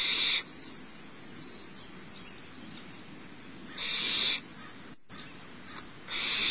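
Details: Mother barn owl feeding the youngest owlet at Starr Ranch on a March morning, and the chick rasps out breathy screeches of half a second spaced by several seconds of quiet.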